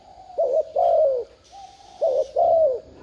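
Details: Two low, husky coo phrases from a spotted dove, used to stir a decoy bird to call; each is a short note followed by a longer drawn-out falling coo.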